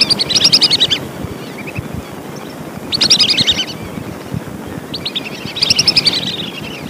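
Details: Lesser whistling duck calls, recorded for use as a lure: three bursts of high, stacked whistled notes, each about a second long, coming roughly every two and a half seconds over a low rumbling background.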